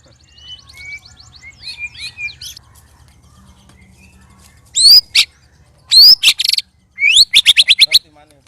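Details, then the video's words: Caged white-rumped shama, sparring among three birds. Faint high chirps open the phrase, then come loud bursts: a sharp rising whistle, buzzy rattles, and a fast run of repeated high notes. "Murai Keluar Suara Aneh Ketika Di Trex"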